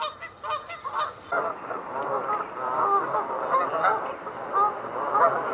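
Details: Canada geese calling during territorial display or flight: a few crisp honks at first, then a blurred, continuous mass of overlapping honks from many birds.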